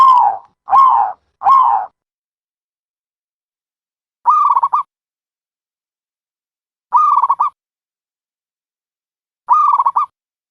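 A dove gives three soft, rounded coos in quick succession, then a slow series of rolling, stuttered coos about every two and a half seconds. No other sounds are heard.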